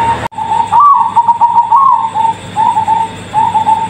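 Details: Zebra dove of the Bangkok type, a prized caged songbird, giving a low rolling coo: a soft, trilled, bubbling phrase that rises slightly, then steady purring notes with short breaks, after a brief click at the start.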